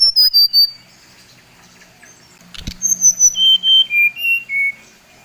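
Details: A Bali brown-chested jungle flycatcher sings to provoke rivals: brief high notes, a pause, then a measured series of pure whistles stepping down in pitch, about six notes.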